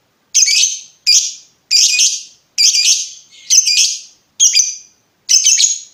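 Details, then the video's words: Lovebird chirping, recorded to train other birds: seven harsh, loud, high chattering notes about once per second, each dropping away quickly. "SUARA BURUNG LOVEBIRD NGETIK NGEKEK PANJANG COCOK UNTUK MASTERAN"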